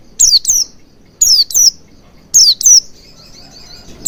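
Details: Oriental white-eye used to coax singing and beak opening: high descending tsee notes delivered in pairs about a second apart, followed by a faint, quick trilled series near the end.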